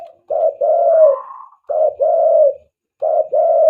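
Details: Spotted dove calling for use as a dove lure: loud, mellow two-part coos, each a short note then a long sustained one, in close repeated phrases about every second and a half.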